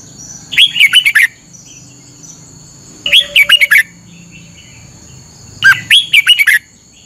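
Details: Morning training song of a red-whiskered bulbul from Thailand: three evenly spaced phrases of chattering, warbled whistles, each about half a second long, over a low rustling background.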